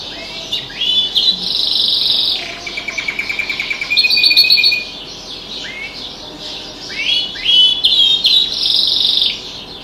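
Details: A pet canary singing with other birds outside the window: bursts of twittering notes and short rattling trills, separated by quiet gaps, rising and falling in loudness.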